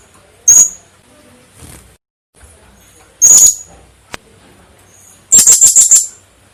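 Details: Female blue-crowned hanging parrot calling actively: two single, very high, thin squeaky notes a few seconds apart, then a quick burst of about six sharp ticking notes near the end, with quiet pauses between.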